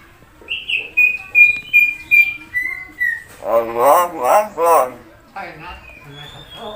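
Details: Common hill myna imitating human voices: a run of clear whistled notes falling in steps, then a burst of hoarse, speech-like syllables, followed by softer chatter and a final high whistle.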